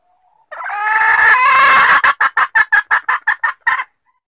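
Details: Female red junglefowl calling to mate, a lure sound: a harsh, drawn-out squawk lasting over a second, then about nine short, clipped clucks in a quick, fairly steady series before silence.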